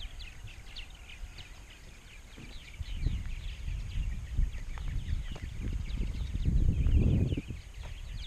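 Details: Colony of purple martins in Rainsville, Alabama, some 920-930 pairs counted in 2016: rapid, overlapping twittering chirps from numerous birds throughout, over low rumbling noise that swells toward the end.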